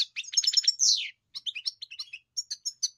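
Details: European goldfinch: a quick run of chirps ending in a loud descending buzzy note, then a short silence and a series of separate tinkling, whistled notes.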